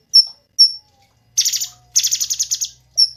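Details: Tutor recording of a Cungkok: two piercing high chirps, then a pause and two long, harsh, buzzy trills that pulse rapidly, ending with one more bright chirp. A faint low hum runs underneath.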